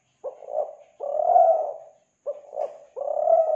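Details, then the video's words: Lure cooing of a spotted dove, Kelantan, meant to draw in doves: a brief two-note stutter, then a long mellow coo, repeated twice. "Pancingan Suara Burung Tekukur Kelantan"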